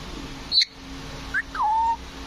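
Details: Green parrot giving a few short whistled notes: a high brief chirp, a quick rising note, then a longer level whistle, over a steady low hum.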